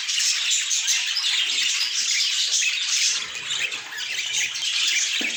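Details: Budgerigars kept as pets chattering together: a dense wash of squeaky, scratchy warbles and short squawks from several birds, steady throughout.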